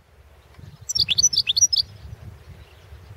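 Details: European goldfinch competition recording from the 2016 World Championship in Goldfinch Song: a quick burst of bright, high twittering notes lasting about a second, with faint low rumble in the background.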